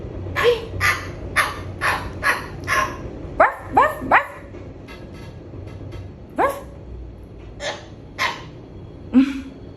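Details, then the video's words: Pet cockatoo imitating a dog: a quick run of short, harsh bark-like bursts, then scattered rising squawky yelps, indoors, with a person repeating 'ruff, ruff' and asking 'are you dog?' "Cockatoo Barry barking like a dog"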